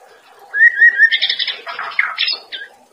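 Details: White-rumped shama master song for training caged birds: a soft start, then a wavering whistled phrase, followed by dense buzzy chatter and a few sharp downslurred notes before fading.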